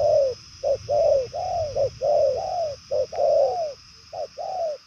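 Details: Spotted dove of the purple-legged 'đồng son' type in far-carrying, fast cooing: closely spaced short and long falling coos in near-continuous pairs, with faint low rumble.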